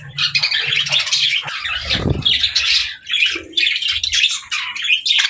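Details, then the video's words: Captive budgies sharing space with lovebirds chatter busily in a run of sharp, squeaky chirps and warbles. A low thud falls near the middle, and soft low rumbles sit beneath. "Funny Budgies Love Birds Chirping Sounds"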